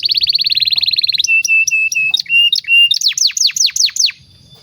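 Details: Canary long master song for teaching young birds: a quick rolling trill shifts into steady, level whistled notes mixed with high chips, then a burst of loud falling sweeps before the bird goes quiet.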